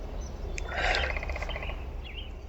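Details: A hairy woodpecker, possibly two, in wetland habitat near Jackson Hole, Wyoming, in spring on the day winter closures lifted, drums in a fast, even burst under a second, with faint chirps of other birds and a low rumble of wind or water.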